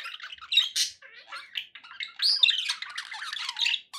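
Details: Budgies kept as pets warble and chirp in uneven bursts, with short sharp squawks, rising whistled notes and rapid scratchy twitters separated by brief gaps.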